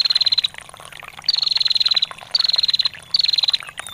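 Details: Female bar-winged prinia, ngetir calls for songbird master training: four rapid high ticking trills, each about half a second to a second long, separated by brief gaps, with gentle water trickling throughout.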